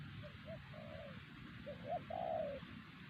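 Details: Wild spotted dove at Siosar, the loudest caller at the site and the target of lure-bird trapping; low hollow coos, a pair of short notes then a longer rising-falling one, over steady background hiss.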